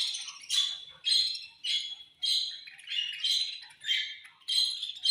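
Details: Caged budgerigars at feeding time give loud scratchy chirps in regular bursts, about two every second, each a harsh rising-falling squawk over a steady chatter.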